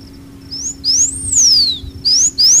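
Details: High, thin whistles of a Blue Finch: a short upslur, then a long note arching up and gliding down, followed by two quick rising whistles. Faint low hum beneath.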